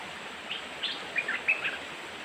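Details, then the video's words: A young merbah lekir bulbul sings a scattered series of short chirps and brief clear whistles, the loudest notes near the middle, against a steady noisy background. "merbah lekir otai muda"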